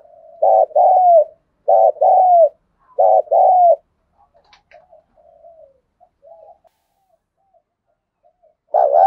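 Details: Spotted dove in 'giọng thổ' contest-calling style, excited and fast. Three loud paired coos come in quick succession, a short note then a drawn-out falling one, followed by faint low murmuring and a fresh coo at the end.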